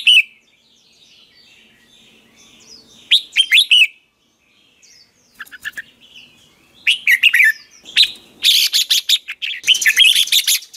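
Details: Red-whiskered bulbul in morning 'ché' training song, used as a lure for other birds. Clusters of quick slurred chirps come in bursts, separated by pauses, with louder harsh rattling and flapping noise in the second half.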